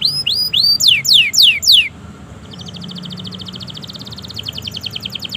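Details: Canary singing long and continuously, used to coax silent canaries into song: rising then steeply falling whistled notes repeated about twice a second, giving way to a softer, fast, evenly spaced trill of high chips.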